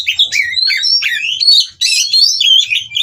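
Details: Captive white-rumped shama in mating song that incites rivals to sing; rich rapid warbles and rising whistled slurs in two dense phrases split by a short pause.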